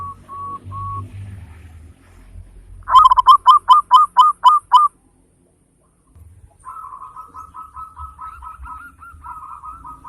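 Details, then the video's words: Local zebra dove, a frequent singer with a big voice and fine rhythm, used as a lure to stimulate other birds to sing. Soft level coos, then a loud burst of about eight rapid bubbling notes, then a long softer run of quick coos. "Perkutut lokal gacor suara besar ketukan indah cocok buat pancingan perangsang bunyi"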